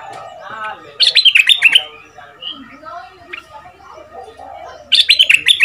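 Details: Caged red-whiskered bulbul, a southern Thai decoy bird two months in the cage, with a fierce 'sai boen' style voice for training young birds. Two bursts of loud rapid whistled notes, separated by softer scattered chirps.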